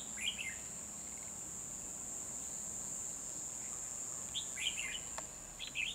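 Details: Red-whiskered bulbul singing during a bulbul trapping session on 12 December 2020, a decoy luring wild birds; short bright warbled phrases come near the start and in a cluster late on, over a steady high insect drone.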